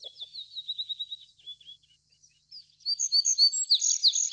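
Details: Little bunting (Emberiza pusilla) gives a soft series of evenly spaced thin ticking notes that fade, then after a gap a louder burst of bright, rapidly repeated high chirps.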